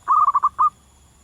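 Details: Zebra dove singing in the wild: one loud phrase of five quick, pulsing coo notes at an even pitch, ending in a separate final note.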